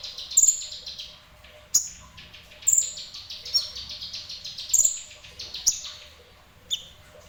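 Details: Ninja sunbird, semi-active singer, repeating bright, needle-thin high whistles and short snappy chips at irregular intervals of about one second, each burst tightly clustered, against quiet low background noise.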